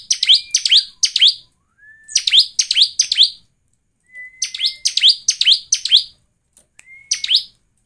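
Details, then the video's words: Bar-winged prinia lure song, used to prompt other prinias to sing: a thin steady whistle introduces bursts of sharp, high, rapidly repeated chirps, in three phrases with short pauses between them. "PASTI CIBLEK lain cepat gacor dengan PANCINGAN CIBLEK ini || ciblek gacor."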